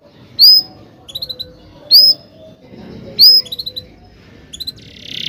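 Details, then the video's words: Canary recording used as a song tutor for young birds: sharp upward-flicked whistles about every one and a half seconds, each followed by small clusters of quick high chips. Faint background hum. "kenari gacor panjang cuit cuit ngerol ini ampuh buat PANCINGAN KENARI paud belajar bunyi"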